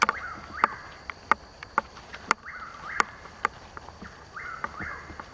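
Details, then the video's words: Night-time Chuck-will's-widow, two hours before sunrise on 21 March 2015 in Hungryland Slough woods, Palm Beach County, Florida, filmed with a Nikon Coolpix AW100: three whistled rise-and-fall phrases about two seconds apart amid frequent crisp clicks and footstep-like knocks. "Chuck-Will's-Widow - Bird Call"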